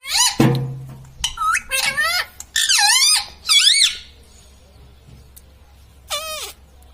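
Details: Green ringneck parrot at home imitating speech: a sharp knock, then several loud, wavy harmonic syllables in quick succession, a pause, and one more drawn, bending syllable near the end.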